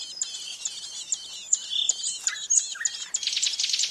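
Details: Ouzel chick in a twig-and-leaf nest, tended by its parents: high, thin chirps and squeaky notes, densely repeated with quick rising and falling slurs, forming a busy twittering stream.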